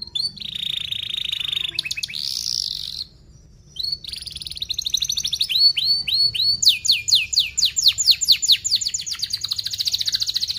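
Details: Canary singing a lure song meant to train young canaries: a steady buzzy trill, a short silence, then varied slurred notes building into a fast, dense, repeated roll.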